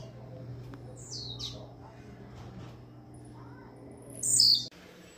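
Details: Caged, hand-caught male Blue-black grassquit from Jacarepaguá, Rio de Janeiro, out of breeding season, around 3 pm, gives a few thin high notes, then a short, high, buzzy burst near the end, over a low steady hum.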